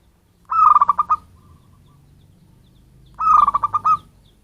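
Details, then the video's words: Local zebra dove from its natural habitat, calling as a lure for birds: two pulsed cooing phrases roughly two and a half seconds apart, each opening on a steady note then rattling into quick beats. "suara pancinggan perkutut lokal cocok untuk pemikat burung"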